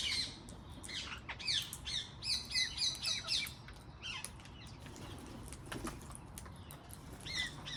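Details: Wild parrots in a garden: sharp, slurred chirping calls in quick bursts, a run of about six evenly spaced notes in the middle, then scattered fainter calls, with steady low background hum.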